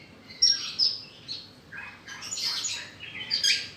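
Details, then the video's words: A Horsfield's bush lark (branjangan, Mirafra javanica), a rice-field bird, sings a fast, jumbled run of high chirps, trills and buzzy notes with sharp whistled accents. ""BRANJANGAN" BURUNG SAWAH BERSUARA EMAS"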